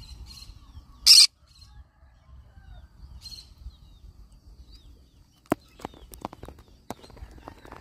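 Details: Yellow-sided conure gives a single loud, harsh broadband screech about a second in, followed by quiet stretches with scattered sharp clicks and taps.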